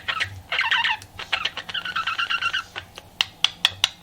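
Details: Pet budgie in flirting mood gives about two seconds of fast, buzzy chattering warble, followed by a few isolated sharp ticks.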